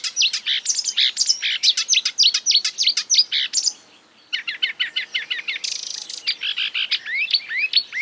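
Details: Marsh warbler (Acrocephalus palustris) imitating other birds in a dense, rapid stream of sharp chirps and twitters, briefly pausing, then resuming with a harsh buzzy note and slurred whistles.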